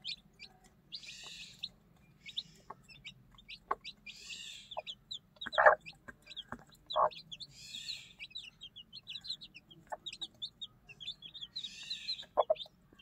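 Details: Newly hatched one-day-old chickens with their mother hen while being fed: many high, thin peeps scatter through the recording, broken by a few louder, lower clucks from the hen near the middle and end.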